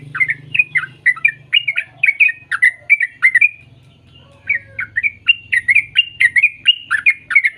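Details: Sooty-headed bulbul singing, played to encourage young birds to sing; lively chattering notes in quick succession, a short break around four seconds, then more rapid rising chirps, over a faint low hum.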